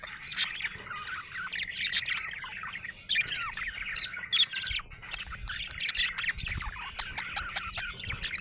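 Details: Budgerigar in a happy mood, chattering with rapid high chirps, clicks and scratchy warbled phrases, continuous and lively, with a few louder sharp notes.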